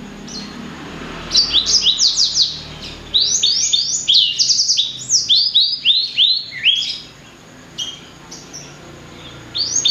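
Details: Blacksang, a cross of blackthroat with sanger, chattering a long energetic sequence of fast repeated high downward-sweeping notes, about three per second, with a pause near the end before resuming.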